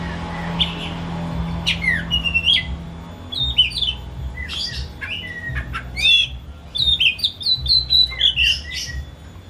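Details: Pet white-rumped shama kept at home in a cage, its song used to provoke a quiet shama to sing: rich medley of rising whistles, sharp chips and squawky notes, growing denser toward the end over a low mechanical hum.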